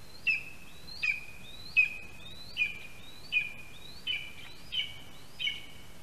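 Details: Lesser spotted eagle male at a spruce nest in Latvia, 8:16 AM on 13 August 2021, brings a mouse and gives eight high, thin yelping notes about every three-quarters of a second, calling and waiting for his mate, over a low steady rumble.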